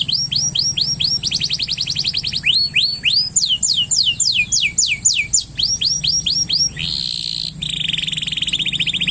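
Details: Excited male canary, caged, singing to stimulate a female for mating: loud rapid trills of sweeping high notes, several slurred rising-falling whistles, then long fast buzzy rolls.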